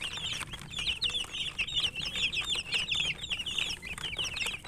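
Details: Chicken chicks chirping while eating: a dense, continuous chorus of high, shrill peeps from several chicks overlapping, with faint ticking pecks underneath.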